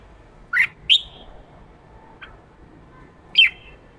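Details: Fired-up male red-whiskered bulbul in ché voice, used to stir wild-caught birds to sing: a few separate sharp, downslurred whistled notes, one faint chip, then a final bright slurred note.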